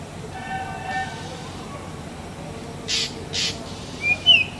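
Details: Black drongo, Dicrurus macrocercus, Bengali name ফিঙে: faint tonal notes early, then two loud, grating rasps close together and a quick rising whistle at the close, over low background noise.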